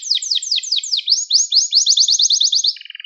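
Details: Gloster canary song used to rouse other canaries: repeated fast falling sweeps, rising slurred notes, a quick bright trill, and a closing low buzzy rattle.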